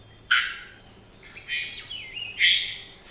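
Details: Three-wattled Bellbird in Costa Rican cloud forest, one of its loudest, most penetrating songs: two loud, harsh, explosive notes about two seconds apart, with thin, high, sliding whistles weaving between them.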